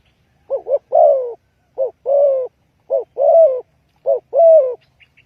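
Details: Spotted dove calling as a lure for trapping: low, hollow cooing phrases about once a second, each made of two short notes and then a longer, drawn-out coo, repeated four times.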